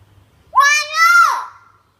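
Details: Indian hill myna, a talking bird mimicking human speech: a single drawn-out, voice-like utterance about a second long, rising then falling in pitch with rich tonal harmonics, in a quiet room.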